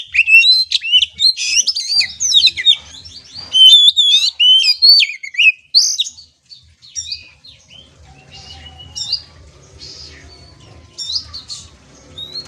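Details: Oriental magpie-robin, a kept trotolan (young) bird, singing to train its mental toughness; loud fast strings of slurred and looping whistles for six seconds, followed by quieter scattered notes over a faint low hum.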